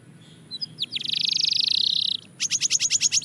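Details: Belgian canary in daily singing training: a few soft notes lead into a long, loud buzzy rolling trill, followed by a series of sharp high repeated chips.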